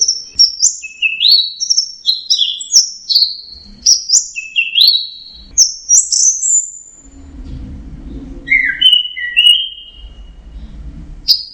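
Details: Orange-headed thrush singing teler-style: crisp upward-flicked whistled notes in quick succession, a short pause with low rumbling noise, then a few lower descending phrases.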